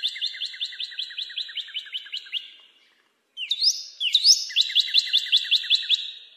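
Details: A steady string of sharp downslurred notes from a northern cardinal, a brief silence, then two loud rising slurs leading into another rapid repeated series.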